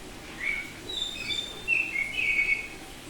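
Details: Oriental magpie-robin, Bali type, semi-tame, in ngeplong song: a varied sequence of high whistled notes, some very high and thin, others sliding downward, in short bursts across three seconds.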